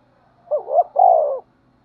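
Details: Spotted dove cooing to incite fighting: two short low hooting notes, then a long hoarse rolling coo that falls at the end, in one phrase lasting about a second against quiet.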